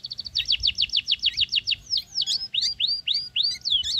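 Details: Sooty-headed bulbul chick being raised on crickets and growing quickly, begging: rapid run of about twenty sharp, high, downslurred chirps, then looser, rising and falling twittering notes, all close and clear over a quiet background.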